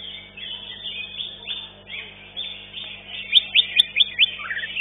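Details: Green leafbird (cucak ijo) at a bird singing competition arena gives a long, rambling song of rich warbles and chatter, ending in several loud, sharp chirps about twice a second over a low background hum.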